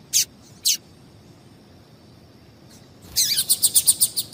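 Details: Female double-collared seedeater calls used to stir males into song for singing tournaments: two isolated high chips, a pause, then a rapid run of about ten sharp, high ticking notes in quick, even succession.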